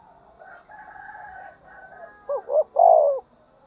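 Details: Spotted dove calling to incite fighting. A hazy, drawn-out tonal sound and low background noise come first, then one loud phrase: two short rising notes and a long throaty falling coo.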